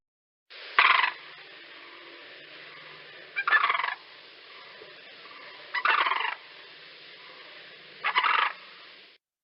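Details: Sandhill crane guard call, the call given on migration or when startled, such as at people in a yard: four loud, rattling, trumpeting bursts roughly every two to three seconds, each rolling and harsh, over a faint steady background hiss.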